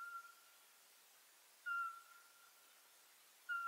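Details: Eurasian pygmy owl giving its monotonous whistled call. Three pure, piping notes are spaced about two seconds apart, each starting sharply and fading in a long ringing tail, with no other sounds.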